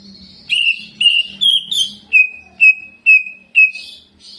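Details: Cucak ijo, the greater green leafbird, singing jamtrok style with mimicked ciblek notes: about eight separate loud, clipped whistles spaced roughly half a second apart, with a steady low hum in the background.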